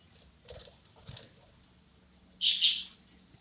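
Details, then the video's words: Pet budgerigar singing: a few faint soft chirps, then a loud, harsh, high double screech near the end. "My super duper unique parakeet singing"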